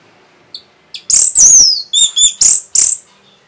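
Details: Orange-headed thrush giving a rapid song meant to stir other birds into singing: after two faint notes, a burst of loud, high, sharp whistled phrases and slurred notes, the last five in quick succession.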